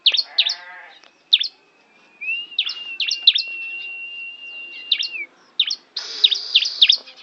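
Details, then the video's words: A tame bar-winged prinia at Kawali, Ciamis gives scattered sharp chirps, then a long level whistled trill dotted with chirps, ending in a burst of buzzy, noisy high notes. "Burung Ciblek Jinak Gacor"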